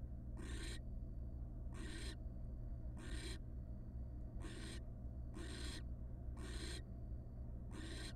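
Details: Wild barn owl at a monitored nest box on the first night after its first nestling hatched, the male bringing a gigantic rat; harsh, breathy hissing bursts, each about half a second, repeated roughly every 1.2 seconds over a steady low hum.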